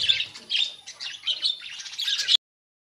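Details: Budgerigars in a colony rather than cages, a short run of squeaky chirps and warbled chatter that stops abruptly.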